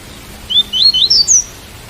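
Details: Double-collared seedeater, tui tui song style, with rain sound: a brisk run of five clear rising whistled notes in under a second, each pitched a little higher than the one before.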